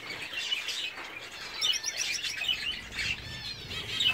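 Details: Gouldian finch courting, a quiet, breathy song of high squeaky notes and fast buzzy trills in short phrases, with soft rustling and faint background twitter.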